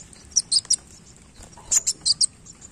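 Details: Kolibri wulung sunbird in active song with tail display: two quick trios of piercing high chips, separated by a short pause, over a low background hum.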